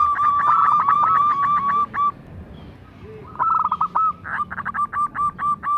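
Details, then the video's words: Local zebra dove, a vigorous singer used to draw other zebra doves into song: two bursts of rapid, even cooing notes, about four per second, each burst opening with a trilled, rolling phrase and separated by a short pause. "perkutut lokal gacor bekur kerot manggung"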